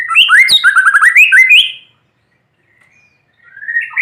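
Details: White-rumped shama singing while sunned in the morning, meant to spur silent shamas into song: a fast, loud run of varied warbled and whistled phrases with sharp clicks, a pause, then a rising whistled phrase.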